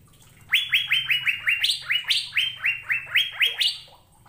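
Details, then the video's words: Asian fairy-bluebird in a training recording for caged birds. About fifteen bright upslurred whistles come in quick succession, alternating between a lower and a higher level, over a faint low hum. "BURUNG CUCAK BIRU GACOR"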